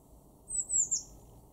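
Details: High, thin three-part call of a blue tit in a garden at Weener, East Frisia, Germany, March 2024; short notes dipping slightly in pitch, with faint low rumble behind.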